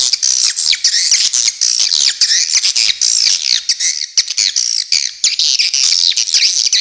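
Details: Near-continuous, loud swiftlet chatter: overlapping shrill, buzzy, wavering twitters with few pauses and scattered clicks mixed through.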